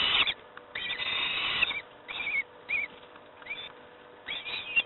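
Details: Peregrine falcon young at Moszna, Pruszków, during breakfast feeding: quieter harsh screeches and short high squealing notes at irregular intervals, with a low hum underneath.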